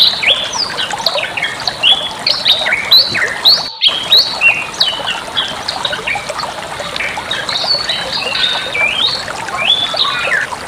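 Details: Bali myna song recorded as tutoring material for training other songbirds: dense stream of slurred whistles and chattering notes, many rising and falling sharply, continuous over a steady hiss, with a brief dropout near the middle.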